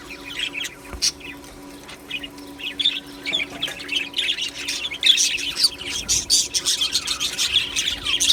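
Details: Aviary colony of budgies: sparse high chirps at first, building into a loud busy chorus of overlapping twitters and squawks from many birds, over a steady low hum.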